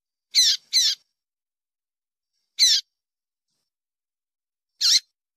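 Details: A captive female Double-collared seedeater calls to stimulate male song. Two quick high chips come close together, then two more single chips follow at spaced, irregular intervals. The setting is otherwise silent.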